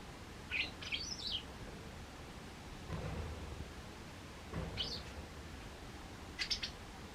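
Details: White wagtails disputing territory in a garden during autumn: scattered high chirps in short clusters, some doubled, over noticeable background noise with low thumps.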